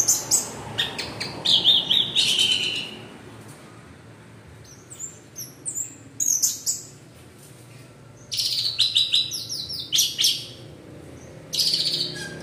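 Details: Orange-headed thrush (Geokichla citrina) song used as a lure recording: bursts of rich, varied, high whistled and chattering phrases, each a second or two long, with short quiet gaps between them.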